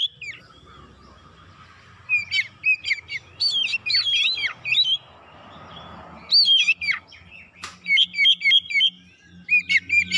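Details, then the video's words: Oriental magpie-robin song meant to provoke other magpie-robins into persistent, agitated singing. Lively, continuous sequences of clear whistles, chirps and falling slurs repeat across the stretch, with a brief quieter gap midway and a constant low hum beneath. "PANCINGAN KACER CEPAT KONSLET NGOTOT BONGKAR ISIAN"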